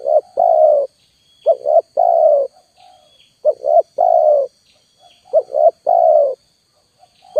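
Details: Spotted dove calls used as a lure: a pair of short quick coos followed by a longer, rolling low coo, the phrase repeating roughly every two seconds, over a steady faint high electronic whine.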